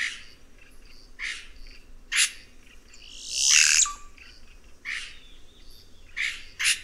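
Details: Red-rumped cacique song of short explosive notes at irregular intervals, with a loud drawn-out rushing, crackling flourish in the middle that falls to a brief whistle; faint steady background hum.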